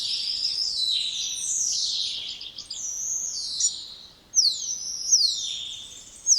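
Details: Spotless starling song: long whistled notes sliding downward, then a series of sharp descending whistles and buzzy phrases, high-pitched and clear.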